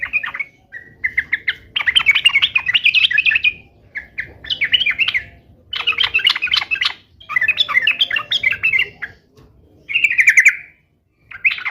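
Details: Sooty-headed bulbul in strong song: several bursts of rapid, bubbly chattering phrases, each one to two seconds long, separated by short gaps and mixed with sharp chirps. A faint low hum runs throughout.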